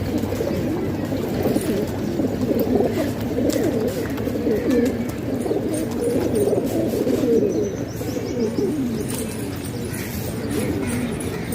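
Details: A flock of domestic pigeons housed indoors in Pakistan keeps up dense, murmuring coos, soft rolling notes layered without pause over a humming room background.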